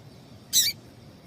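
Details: One short, high, rasping chip from a female double-collared seedeater, a call meant to set males singing, alone against quiet background hiss.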